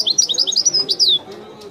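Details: Brisk burst of high, liquid twitters from a European goldfinch in widani song style, ending in a long, drawn, down-slurred whistle, then quiet apart from a low background hum.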